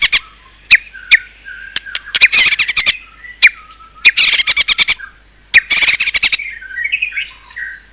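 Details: Murai batu, the white-rumped shama, in loud song: sharp single notes and fast rattling bursts alternating with softer whistled phrases.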